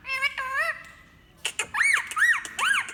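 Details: Indian ringneck parrot voicing varied sounds indoors: wavering squeaky notes, a pause, then sharp clicks and three arched whistled squeals rising and falling.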